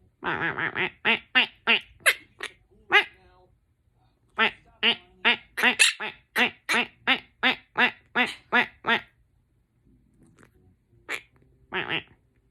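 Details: A pet monk parakeet chatters in quick bursts of harsh, nasal, quacking notes.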